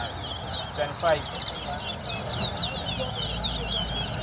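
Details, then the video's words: Towa towa (chestnut-bellied seed finch) singing in a bird race competition at Craig Bridge bird ground, Guyana, 2022. Rapid, continuous high warbling twitters with trills, under background music and a low rumble. "TOWA TOWA BIRD RACE"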